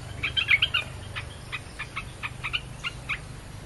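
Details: A Red-whiskered bulbul used as a lure for wild birds gives a brief, loud, bubbly burst of chirps. Softer, evenly spaced single notes follow under a low background hum.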